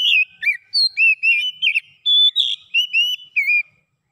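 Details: Oriental magpie-robin song, offered as a clear recording to get a silent bird singing fast again: a rapid run of pure whistled slurs and rising and falling notes, broken into short phrases with brief gaps.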